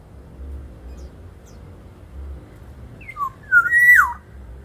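A Black-naped oriole gives one short burst of rich, fluty whistles that slur up and down. Faint background hum comes before it.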